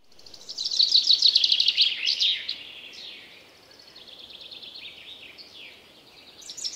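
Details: Wild common chaffinch singing: a loud rattling trill of rapid descending notes ending in a flourish, followed by quieter overlapping songs of other birds and a new phrase starting at the end; faint background noise throughout.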